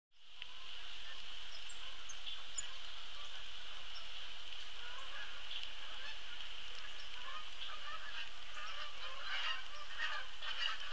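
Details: A flock of Canada geese departing Sapsucker Woods Pond to head south on 20 October 2016 honks in a dense, overlapping chorus of nasal calls, several each second, over a steady high hiss.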